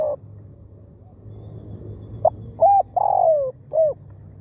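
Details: Spotted dove used as a decoy to lure wild doves. After two quiet seconds it gives a short note, then low hooked coos and a long falling croo, with a faint low hum underneath.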